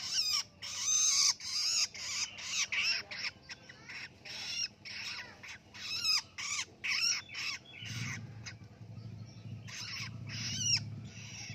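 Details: Newly independent young long-tailed shrike in captivity, learning to sing ngelolo, pours out rapid, scratchy, raspy bursts in quick succession, with a low rumbling hum joining in the second half.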